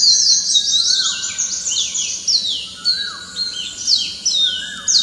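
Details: Morning song of an Oriental magpie-robin among other birds: loud bursts of rapid high downslurred notes overlap, while lower sliding whistles rise and fall every second or so.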